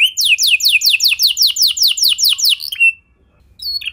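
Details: A canary's lure song for setting other canaries singing: about fourteen sharp downward-slurred whistles, roughly five per second, ending with a held note and then quiet.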